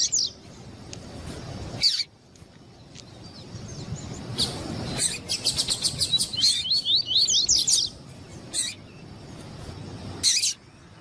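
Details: Double-collared seedeater (Sporophila caerulescens), a male answering a calling female, played to warm up a male for song tournaments: a fast run of high, sharp chirps and twittering notes, broken by a few loud clicks and handling noises.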